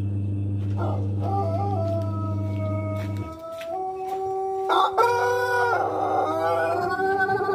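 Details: A Pelung rooster, an Indonesian ornamental breed kept for its voice rather than for fighting, gives a long, drawn-out, wavering crow with rich harmonics; a steady low hum fills the background early on.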